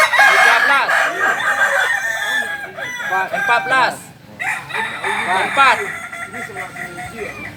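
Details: Kokok Balenggek rooster of the jalak and biriang colour types, a chicken native to Solok, West Sumatra, gives a long multi-syllable crow made of many rapid, stepped, arched notes that run on and fade, with faint background noise.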